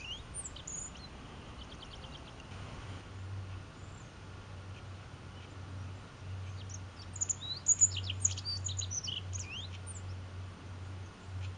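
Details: Rock bunting at La Plataforma, Candelario, Spain, giving thin, very high, sharp tsip notes in loose scattered bursts, with a brief quick trill early on, over a low steady hum.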